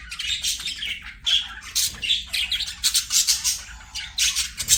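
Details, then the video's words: Budgerigars singing while playing: dense bursts of high, scratchy chirps and squawky warbles, coming in irregular clusters with short pauses between them. "BUDGIES SINGING PLAYING"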